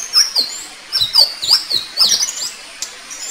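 Indigo flycatcher giving quick, high, thin whistled notes that slur up and down, several in close succession over three seconds, with faint twittering behind.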